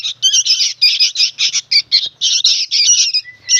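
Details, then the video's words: Rapid clipped squawks from young sooty-headed bulbuls, about two harsh notes per second in a tight, restless series, with faint low hum behind. "SUARA BURUNG ANAKAN KUTILANG PALING RIBUT BERBUNYI"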